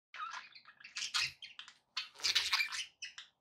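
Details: Pet budgerigars chirping indoors: a dense run of buzzy, scratchy warbles and chatter in two bursts separated by a short pause, with one brief extra chirp near the end.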